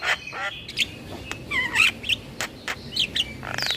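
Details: Javan myna song recorded for use as a lure and training recording for all kinds of mynas: scattered bright whistles, short rising and falling chirps and sharp clicks, with a soft background hiss.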